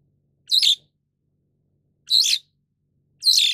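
A White-shouldered Starling gives three short, harsh, buzzy calls, high-pitched and about a quarter-second each, spaced one to two seconds apart with quiet between.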